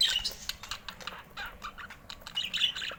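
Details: Short bursts of budgerigar squawks and scratchy chirps, clipped high notes coming in quick irregular clusters.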